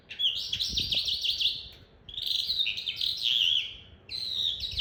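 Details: Young calandra lark, kept captive and tutored, practising its roll: bursts of rapid, jumbled high chirps and wavering whistles, separated by short pauses, with a few soft knocks in the background.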